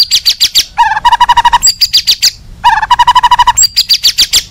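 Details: Agitated white-rumped shama singing to provoke other shamas into answering: loud, clear song alternating high whistled notes with fast runs of lower, evenly repeated notes, each pattern returning about every two seconds.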